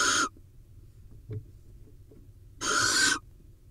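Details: Barn owl nest in Israel during prey delivery and mating: a harsh hiss cut off at the start, then a quiet gap with faint taps, followed by another long, breathy, rasping screech.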